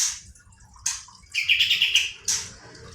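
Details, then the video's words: Brief burst of kapas tembak song in a rolling, rapid-fire style: scattered high chips, then a short fast trill of about six notes, then a final sharp note. "kapas tembak gacor roll ngebrn nembak.."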